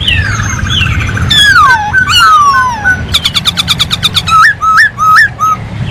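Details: Masked laughingthrush singing vigorously: long slurred whistles sweeping downward, then a rapid train of sharp clicking notes, ending with loud hooked whistles that rise and drop, repeated in quick succession against a steady low hum.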